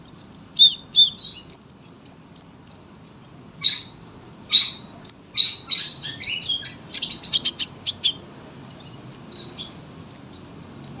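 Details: Sunbird giving a long song of bright, high chirps and short trills, delivered in clusters with brief silences between bursts, very clean and crisp.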